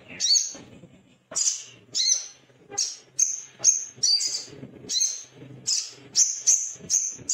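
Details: Male little spiderhunter in an agitated state, seeking a rival: a long run of very high, sharp chip notes, a few doubled, repeated roughly every half second, speeding up toward the end.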